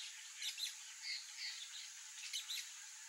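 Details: Wild peach-fronted parakeet (Eupsittula aurea) uttering a few scratchy, raspy squawks in two short clusters, fairly quiet against a steady high-pitched background hiss.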